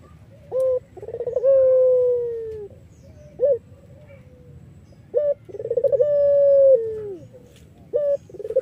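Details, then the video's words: Collared dove of the Iraqi variety, a melodious, lively singer kept as a lure to draw other doves; soft low coos in a repeating phrase: a short note, a long held coo falling at its end, another short note, heard twice. "BURUNG PUTER IRAK GACOR MERDU"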